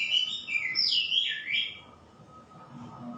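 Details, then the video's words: White-rumped shama singing a rich, fluid phrase of swooping whistled notes that glide up and down, ending after about two seconds, followed by quiet with a faint steady hum. "Shama birds..calling bird singing Bird"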